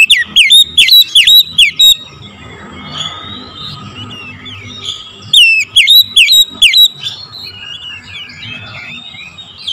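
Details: Oriental magpie-robin lure song for morning use: two bursts of strong falling whistles, each note slurring sharply downward at a fast pace, separated by quieter twittering and soft warbled phrases.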